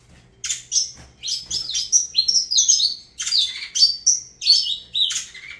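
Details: Singing Saffron finch, Avalanche line, pouring out fluid high whistles that rise and fall, mixed with short buzzy notes, phrases linked almost without pause over several seconds.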